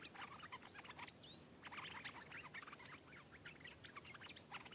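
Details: Wild stripe-throated bulbul arriving to answer and fight a caged bird; rapid bursts of short, sharp chattering notes and brief whistles in dense clusters, with a faint upward-sweeping whistle and steady background hiss.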